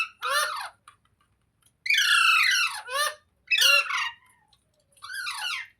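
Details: Parrot, said to be a talking pet parrot, giving harsh, wavering squawks in four separate bursts, each rich and broad with falling overtones, separated by short silences; indoors, no other sounds.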